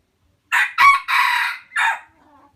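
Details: Rooster crowing, chosen as a fine-sounding crow: a loud, hoarse crow in several linked syllables, with a long drawn middle note and a short final one fading out.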